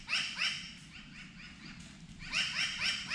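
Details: New Caledonian crow in New Caledonia, heard during a bow hunt for rusa deer, giving quick runs of harsh, nasal, down-slurred notes, about four a second, in two bursts over faint background hiss.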